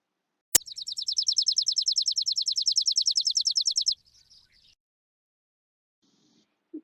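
A sparrow gives a fast, even run of about twenty sharp, high chirps over three seconds, each a quick downward flick, after a click at the start.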